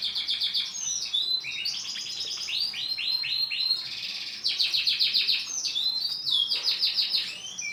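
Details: Male starblue canary in continuous loud song, rapid repeated trilled notes and rolling phrases at a high pitch, with little pause.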